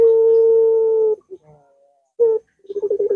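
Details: Puter dove call played to stimulate a quiet dove: the tail of a long steady low coo, a short clipped note, then the start of a fresh rolling stutter building up.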